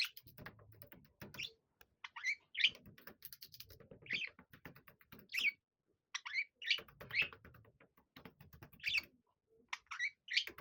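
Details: Two pet budgerigars, a six-year-old male and a seven-year-old female, playing together inside a bellows tunnel; short bright chirps and squeaky tweets come in scattered bursts, mixed with scratching, tapping and rustling from their movement.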